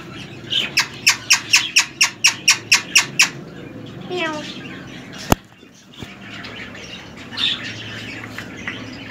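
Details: Male ring-necked parakeet, three years old and semi hand tamed: a fast even series of about a dozen sharp squawks, then softer scratchy notes, a loud click and quieter calls.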